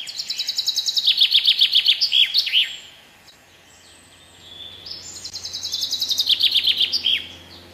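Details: Singing common chaffinch (Fringilla coelebs) gives two phrases separated by a short gap, each a quick run of crisp repeated notes falling in pitch and finishing with a brief twirl.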